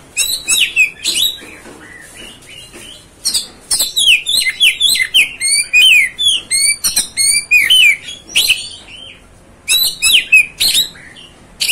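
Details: Oriental magpie-robin song, used to stir up other magpie-robins: a lively run of varied, sharply slurred whistles and chirps, rising and falling, delivered in dense bursts with brief pauses and a quiet background.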